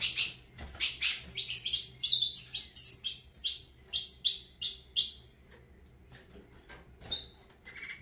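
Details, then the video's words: Saffron finch opening with loud clipped chirps, then a run of repeated whistled notes evenly spaced about twice a second, followed by a quieter pause and a few scattered calls. "Canto do Canário da Terra"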